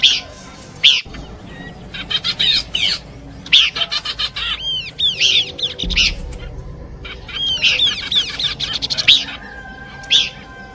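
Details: Horsfield's babbler song combination suited for bird luring, rapid buzzy chatter phrases interleaved with rising-falling whistles, repeated steadily with short pauses.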